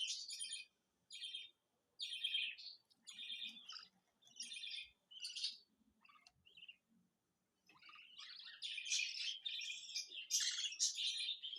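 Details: Budgerigar chicks 21 days old give harsh, raspy chirps in short bursts, building into continuous chatter.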